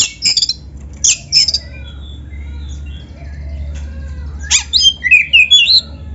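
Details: Oriental magpie-robin, black-breasted form, singing a training song with canary insertions: high scratchy bursts near the start, quiet soft whistles in the middle over a low hum, then a quick twittering rising run.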